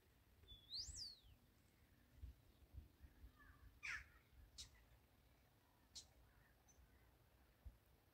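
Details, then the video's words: Several common starlings singing in a linden tree on March 28, 2024: a high swooping whistle, then scattered dry clicks and a brief rattle, over a low steady background rumble. "Starlings singing on a linden"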